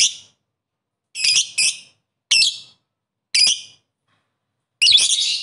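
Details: Lovebird calling rivals with short harsh shrill squeaks, single or paired, repeated about once a second in a quiet setting.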